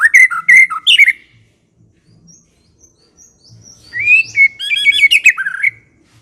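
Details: White-rumped shama singing energetically: a burst of rapid chattering whistles, a quiet gap with faint high notes, then a rising whistle leading into fast trilled and looping phrases.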